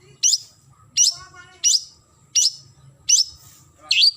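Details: Long-tailed shrike calling a rival: five sharp, harsh downslurred notes high in pitch, spaced roughly every 0.7 seconds, ending with a rougher squeaky note; faint low hum underneath.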